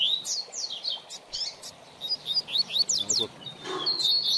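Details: Teaching song of a coleiro seedeater for a young bird, made of quick high chirps and downward-sweeping notes in a busy sequence, ending in a sustained high buzzy trill.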